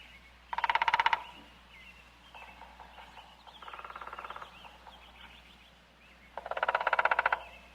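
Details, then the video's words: Woodpecker knocking at a quarry: two loud, rapid rolls of ringing taps at the start and end, with softer, more distant rolls between them, over a low constant hum. "Стук дятла"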